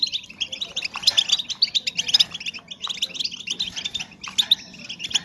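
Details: Female European goldfinches calling to stimulate breeding condition in males: dense, overlapping bright twittering and tinkling chirps, fast and continuous with brief pauses near three and four seconds.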